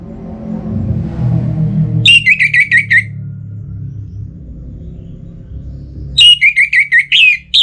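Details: Orange-headed thrush, caged and in breeding condition, calling a rival. Low rumbling background noise comes first, then two series of about five to six quick, clear, descending whistles separated by a few quiet seconds.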